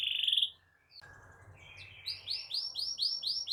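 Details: Canary singing nonstop in the 'gacor ngerol' style, used as a tutor song for young canaries and to coax silent ones into singing: a loud buzzy trill, a brief pause, then rapid rising chirped notes repeated about four per second.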